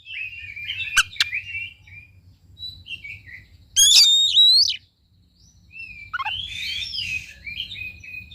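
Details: Oriental magpie-robin song used to provoke a quiet bird into singing: varied whistled phrases around mid-high pitch, a loud sweeping whistled burst near the middle, then chattering notes, with a low hum beneath.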